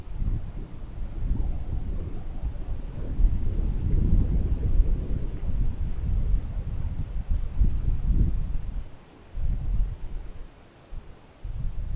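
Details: Low rumbling wind buffeting the microphone, with no animal calls audible.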